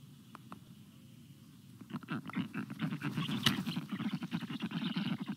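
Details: Black stork nest in Estonia on 26 June 2022 at midday, as an adult brings frogs to the chicks; a quiet start builds into rapid, rasping, pulsed calls repeated several times a second, growing louder and denser.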